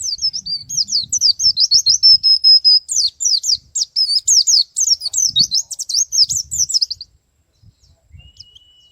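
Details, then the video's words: Male white-eye singing ngalas and nembak style: about seven seconds of rapid, high slurred chirps with a sustained whistled note midway, followed by near silence and a single thin tone. "suara pleci jantan ngalas dan nembak"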